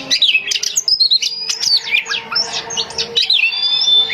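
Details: Home-kept female Oriental magpie-robin singing to lure males: a dense, fast run of varied clear whistles, sharp upward and downward sweeps and chattering notes, with hardly a pause between phrases.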